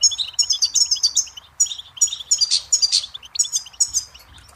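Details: Goldfinch song from a tape meant for teaching chicks and songbirds: fast, high, tinkling twitter of short bright notes and trills, in bursts with brief pauses, two louder buzzy notes near the end.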